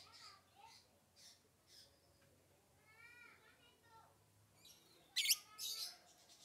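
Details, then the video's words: Lovebird giving scattered high chirps and short ringing, harmonic notes, ending in a loud, harsh, scratchy burst followed by quieter squeaky chirps. "so that your love bird can sound fast"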